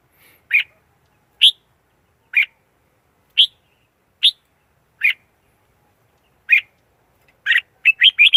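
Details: Red-whiskered bulbul giving short sharp chirps spaced about a second apart, breaking into a fast burst of linked warbling notes at the close; nothing else audible.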